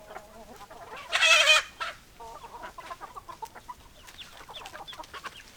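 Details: Hens clucking, with one loud harsh squawk near the second mark followed by a run of short soft clucks repeated irregularly.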